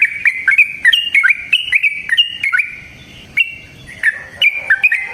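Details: Yellow-vented bulbul (trucukan) in lively, long rapid song, played as a lure to get other bulbuls singing: quick bubbly whistled notes, each jumping up or down, in fast phrases with a short pause midway.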